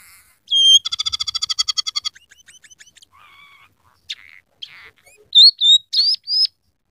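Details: Scaly-breasted munia, a frequent singer whose song is laced with imitations of rough canary, red siskin and sparrow: a pure whistle, then a rapid buzzy rattle, scattered chips, and a closing run of bright whistled notes.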